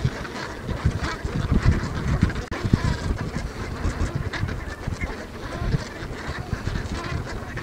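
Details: Many geese in a meadow on Ameland honking together in a restless, overlapping chorus, wind thumping low in the background the whole time.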